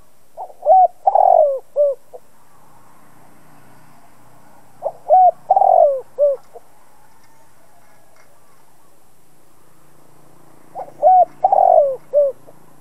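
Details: Cooing of a decoy spotted dove, meant to goad other doves into calling. Three phrases arrive roughly every five seconds, each a low stuttering sequence that swells into a long burring coo and ends with a short note.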